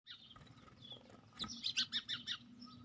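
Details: Sparrow chirping: a few soft notes, then a quick run of bright, high, short chirps in the second half, over a faint low background rumble.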